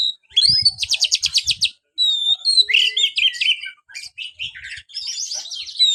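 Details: White-rumped shama in a cage, opening with a rapid even trill of about a dozen notes, followed by warbled whistles and scratchy chattering phrases, with short pauses between.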